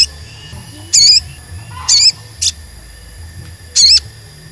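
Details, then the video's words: Sogon, used as a lure sound to make other sogon sing, gives short, high, twisting whistled phrases in three quick bursts with a brief sharp chip between, over a steady thin high-pitched hum. "Pancingan Sogon Agar Bunyi dan Emosi"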